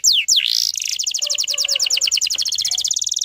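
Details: Canary trigger song in the dense 'tembakan rapat' style, used to bring young untrained canaries into song. Two sharp descending whistles open the phrase, then a fast, even trill of buzzy repeated notes. A faint lower warble sits underneath.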